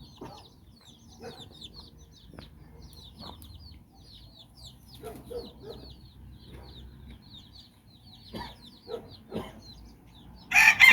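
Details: Mother hen and her nine chicks strolling in Bizkaia, Basque Country: faint high peeps running throughout, broken by low soft clucks and short taps, ending in a loud sudden burst of noise.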